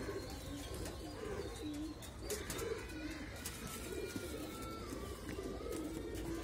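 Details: Baby pigeon being hand-fed: soft, low coos repeat in short bursts over steady rustling and handling noise.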